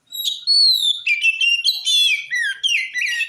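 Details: Oriental magpie-robin in full song, played to make other magpie-robins answer: a rich run of loud whistled phrases, a long gliding note then rapid varied trills and slurred notes sweeping down, nearly continuous.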